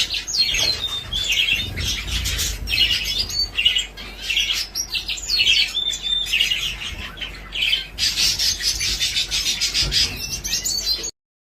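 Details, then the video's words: A crowd of breeding zebra finches fills the air with rapid, high, nasal toots and buzzy chirps in overlapping bursts, with some wing flutter, then stops abruptly at the end. "burung beranak banyak #zebrafinch"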